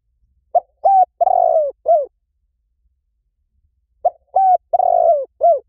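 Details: Lure recording of a spotted dove: the same four-note cooing phrase given twice about three and a half seconds apart, each with a short note, a held coo, a long trembling coo and a falling end note.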